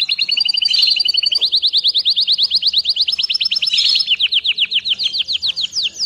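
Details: Canary singing as training for young birds: fast rolls of sharp, bright notes repeated about twice a second-plus, shifting pitch and speed in quick bursts with barely a pause.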